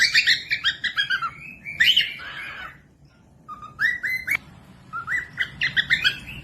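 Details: Cockatiel, kept for training other birds to sing, giving whistled, chirping phrases: rapid descending notes, a pause, then rising slurred whistles and a run of repeated flat whistles.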